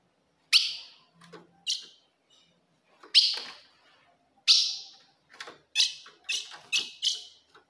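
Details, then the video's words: Calls of a female ultramarine grosbeak meant to provoke a male: strong, high, falling chip notes, first spaced widely, then in a quicker string of four near the end. "se o seu azulão não segura fogo de fêmea Esse é o vídeo"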